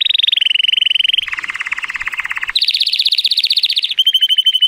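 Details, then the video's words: A male Timbrado Español canary, born in 2018 and scored 83 points, delivers a continuous training song on a sunny day: rapid rolling trills shifting from mid to lower pitch, then up to a higher, brighter roll and a sharp chattering end. "The most PLEASANT Canary training song"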